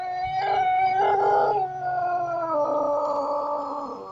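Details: White Pelung rooster in a long crow: a sustained harmonic tone with a slight wavering in the middle, sliding slowly downward over about four seconds as it fades out.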